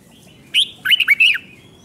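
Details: A single red-whiskered bulbul phrase from Thailand, part of a doubled 5-syllable song for training young birds. One high sharp note, then four fast, looping whistles dropping and rising in a chirpy run.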